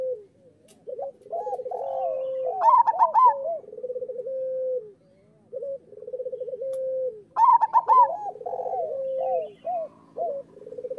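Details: Local zebra dove song for training quiet or molting birds. Long trilled coos and looping notes build to a high clipped cluster twice, about five seconds apart. Short pauses fall between phrases.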